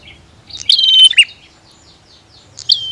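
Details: Brief exchange of bar-winged prinia calls, female and male: one rapid buzzy trill with a falling high whistle and low end note, silence, then a new whistle beginning.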